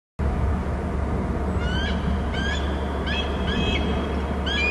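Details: Two eagles calling at their nest territory on Hornby Island, one having flown from above to a stump: a thin, high, chittering series of short whistled notes, several bursts in a few seconds, over steady low wind-like noise.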